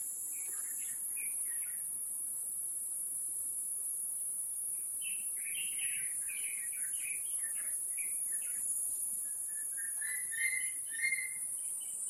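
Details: Brood-rearing wild Taiwan Blue Magpies, Taipei Zoo, Taiwan, 7 May 2022, 11:43; scattered bursts of short chirps arrive in three clusters separated by pauses, set against a constant shrill insect chorus.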